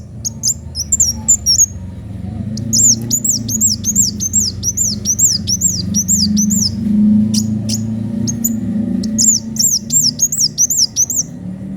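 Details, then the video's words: Sunbird singing hard with a piercing voice, pouring out fast series of thin, very high, bending whistles in bursts separated by brief pauses, over a steady low rumble. "Kolibri wulung gacor suara pedes"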